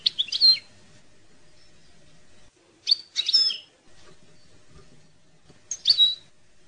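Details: European goldfinch (maknin) song used for tutoring young goldfinches: three short bursts of bright, twittering high notes with liquid slurred elements, separated by pauses of about two seconds, over faint background hiss.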